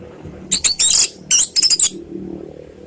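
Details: Orange-headed thrush singing as a lure to draw replies from other birds of its kind: two quick phrases of high, twittering, scratchy notes run closely together, over a soft low background hum.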